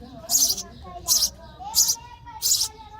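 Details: Nestling sparrows chirping for food as they are fed; four loud, breathy, high chirps about 0.7 seconds apart, with a faint steady mid-pitched whine running underneath.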